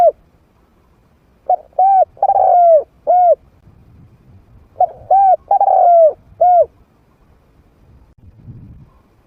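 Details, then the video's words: Medium-voiced trained spotted dove played to tempt wild doves into fighting. Two identical phrases about three seconds apart: a short coo, a double coo, a long falling coo and a final short coo. Soft low rustling fills the gaps. "เสียงนกฝึก นกเขาใหญ่เสียงกลาง เปิดต่อนกป่ากล้าเข้าสู้ไม่ตื่น"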